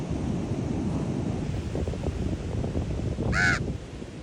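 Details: Raven at Ocean Beach, San Francisco, giving a single harsh, hoarse croak near the end, set against a steady low roar of ocean surf and wind.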